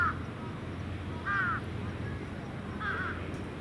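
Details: Crows gathering at their evening roost on an observation terrace, young birds among the adults; a few hoarse, arched caws come at intervals over a steady low rumble of traffic-like background noise.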